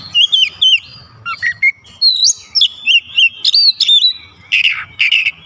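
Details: Rapid whistled song of a white-rumped shama: many short looping and rising notes in a steady stream, ending with a couple of rougher, buzzier notes.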